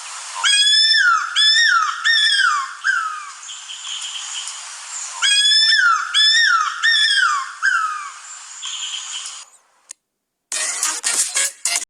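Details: Cuckoo-roller, found only in Madagascar, gives two phrases of four loud, high, down-slurred whistles about half a second apart, likened to a crying puppy; a short burst of harsh noise follows.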